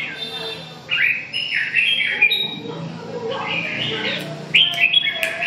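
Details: Red-whiskered bulbul delivering several bright whistled phrases with quick slurs, a pause, then more chattering notes and a few sharp clicks.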